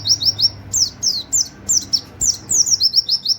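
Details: Continuous high white-eye song in the 'nembak wit wit kenari' style for training other birds, mixing fast rising chirps with falling whistles, over a steady low hum.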